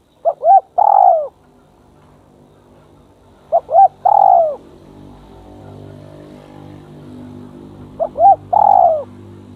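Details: A decoy spotted dove, brought close to a bold and aggressive rival dove, coos three times at intervals of roughly four seconds. Each phrase has two short notes and a longer falling coo, over a steady low hum.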